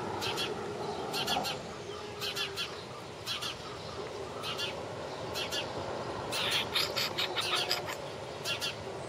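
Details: Repeated bright chirping from a sparrow, single and paired notes roughly once a second, growing busier toward the end, with a continuous humming noise underneath.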